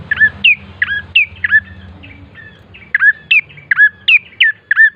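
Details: Bar-winged prinia song played to get birds singing: loud, sharp chirps sliding down into short whistles, repeated steadily about twice a second with a brief lull midway, over a soft low hum.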